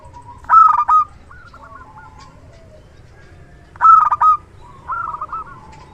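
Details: Zebra dove of a local strain, loud and eager singer kept as a trapping decoy: a harsh, clipped coo burst near the start and another three seconds later, each followed by quieter rolling trilled coos.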